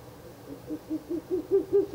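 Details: About seven low hoots that start soft and grow loud, from a Ural owl calling at its nest box in the night, 16 April 2024, the third night it has visited the nest.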